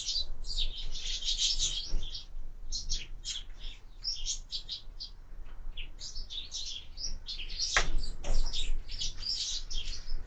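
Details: Several sparrows at window-mounted feeders chatter in rapid, irregular bursts of bright high chirps, with a few louder sharp notes near the end.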